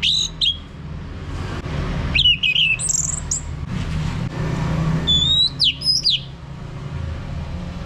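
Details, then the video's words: Ngeplong-style song of an orange-headed thrush, played to coax a male into singing: scattered short whistled phrases, some sharply rising or falling and others high and thin, separated by pauses, over constant low rumbling noise. "ANIS MERAH Mau Berbunyi Ngeplong"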